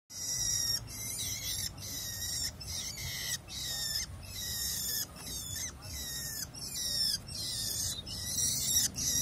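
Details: Tame long-tailed shrike out in nature: harsh rasping bursts repeated almost continuously, each ending in a thin downslurred tone, with steady low background noise.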